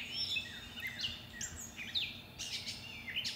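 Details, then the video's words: Several backyard birds singing at dawn, 5:45am on Monday May 11th, recorded with a shotgun microphone: overlapping whistled and chirping phrases, rising and falling slurs, calling continuously over a faint low hum. "Birds Singing Monday May 11th 5:45am"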